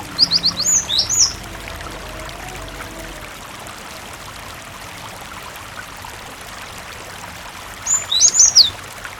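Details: Cinereous tit (gelatik batu), a lively singer used as a lure to make other tits answer and sing: a quick burst of high, thin, sharp notes, then a long pause and a second burst near the end, over steady running-water noise.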